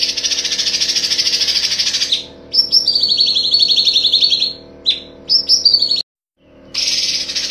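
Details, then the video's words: Cucak cungkok tutor song: fast, bright trilled phrases sliding slightly downward, broken by short chirps, between stretches of dense, high hissing buzz with a faint low hum beneath. "Masteran Cucak Cungkok ~ Full tembakan"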